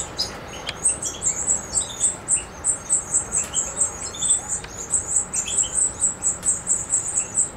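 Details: Macedonian recording of a European goldfinch, 7 July 2011: rapid, almost unbroken high tinkling twitter, pulsing several times a second, with a few lower chirps early on.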